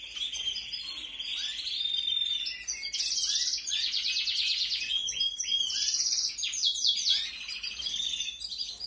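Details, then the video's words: Canary young being fed in 2021: a steady run of high, rapid buzzy trills in long pulsing blocks, with a clear whistled tone woven through them. "QUE BONITA ES LA CRIA, CEBANDO 🐣🐣🐣. CRIA DE CANARIOS 2021."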